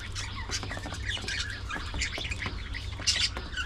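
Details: Budgerigars at early morning feeding time keep up a continuous, overlapping chatter of squawky chirps and short warbles, with a steady low hum in the background.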